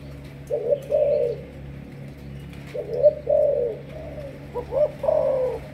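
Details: Malaysian spotted dove kept for decoy training, with a 'sấm thổ' style voice, giving low soft cooing notes in short bursts separated by pauses, over a steady low electrical hum.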